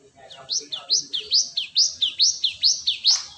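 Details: ['Cinereous tit recording used as a bird lure: a crisp, even run of about eight high paired notes, a lower slurred note followed by a sharp rising whistle, repeated rapidly, ending in a click.']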